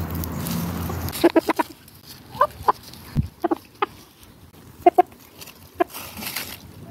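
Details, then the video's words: Chickens and roosters in a garden going about daily life, giving short low clucks in scattered bursts, some doubled, with quiet gaps between and faint background outdoor noise. "The conversation of chickens and roosters"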